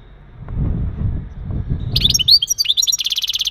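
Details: Male European goldfinch giving mating calls meant to prepare a female for breeding: low rumbling background for two seconds, then bright high twittering notes and a fast buzzy trill repeated at the end.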